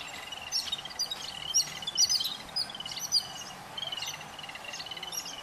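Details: Yellow-billed babbler chicks being fed by adults give high, squeaky begging chirps in uneven bursts, roughly one a second, over a steady low hum of outdoor noise.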